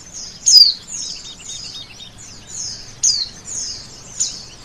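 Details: High-pitched song of a male oriental white-eye. Three loud, quickly falling chirps are spaced over several seconds and linked by fainter, thin, sliding notes.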